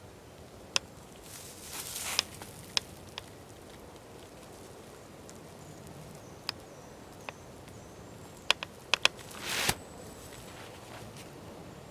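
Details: Quiet outdoor ambience with scattered sharp clicks and taps and two brief rustling or splashing bursts; no animal calls.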